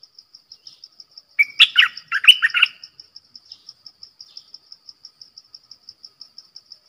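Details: Streak-eared bulbul kept as a lure for wild birds gives one bubbly, chattering phrase of slurred notes about a second long, over a steady high ticking repeated roughly every quarter second.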